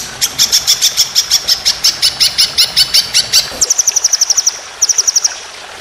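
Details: White-rumped shama contest training song in the long 'tembakan' roll-speed style: fast, even run of high ringing notes, about three per second, then a brief gap and two quicker, sharper high trills.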